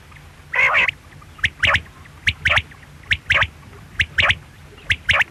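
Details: A drawn-out harmonic squawk opens, then a quail's sharp triple-note phrase follows, a single note and a quick pair, repeated steadily about once a second.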